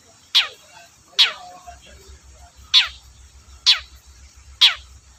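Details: Long-tailed shrike singing vigorously, used as a lure to provoke reluctant shrikes into singing: five loud, harsh, downward-sweeping rasping notes spaced about one second apart over a faint low hum.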